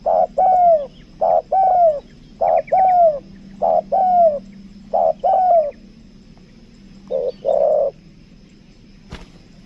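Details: Lure spotted dove of the 'kuk dua' type, Lombok, cooing in paired phrases: a short note then a long falling slurred coo, several pairs, then pauses and a final double coo; faint low hum and a click near the end.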